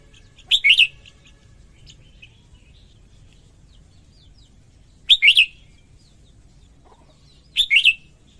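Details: Female red-whiskered bulbul singing to excite males: three separated bright, slurred three-note phrases spaced several seconds apart, with faint soft chirps in the gaps and low steady background hum.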